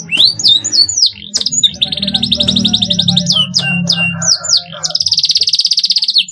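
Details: Canary song in 'cuit cuit' style, played to stimulate young canaries to sing in lively fighter form: quick downward-slurred chirps, a sustained buzzy rattle, more sharp chirps, then a rapid even trill, with low humming underneath.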